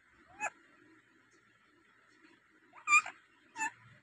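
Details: A native rose-ringed parakeet known for its many different sounds gives one short squawk, a pause of over two seconds, then two louder harsh harmonic squawks close together.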